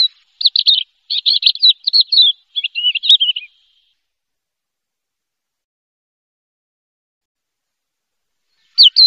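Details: Champion contest Javan bush lark, first-place winner, sings a burst of high, fast, scratchy chirped phrases for about three and a half seconds, then falls silent before another brief note at the end; no other sounds.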